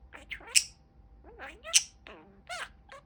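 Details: Male pet budgerigar chattering: squeaky, twisting chirps and gliding notes, with two loud sharp high clicks about a second apart.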